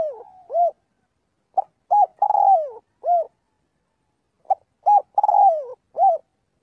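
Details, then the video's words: A spotted dove gives its call to the flock during daily voice practice: a fading coo, then two repeated phrases of quick clipped notes, a long sagging coo and a rounded closing note, with still pauses between. "tiếng chim cu gáy gọi/chim cu gáy gọi bầy luyện giọng mỗi ngày"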